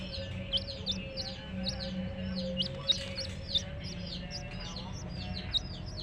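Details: Baby chicks chirping, with many high, quick downward-slurred peeps overlapping in a busy chorus over a steady low hum.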